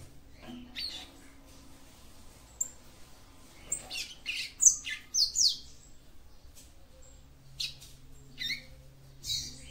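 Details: Female capped seedeater singing to stimulate the male: scattered short high chirps and thin downward-slurred notes, grouped more tightly around the middle, over a faint low hum.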